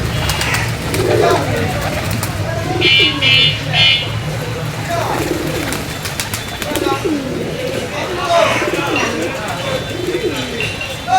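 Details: Pigeons being given food in the morning, the flock very active; many overlapping low, rolling coos repeat throughout, with a person calling to the birds, rustling, and background music.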